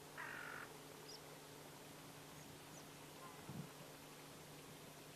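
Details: Great black-headed gull, a wintering bird, filmed at the Kuma River mouth, Kumamoto, Japan, and in Bayankhongor, Mongolia. A single harsh, nasal call opens, then quiet with faint ambient noise and a soft thump.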